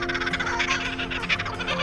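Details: A Laughing Kookaburra in the Australian Outback gives its territorial call, a fast, harsh, chuckling run of notes, several per second, like hysterical laughter, over a faint steady hum.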